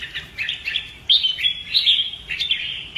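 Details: Red-whiskered bulbul performing fighting-style song during training; rapid, repeated liquid warbles with a few loud, clear whistled accents.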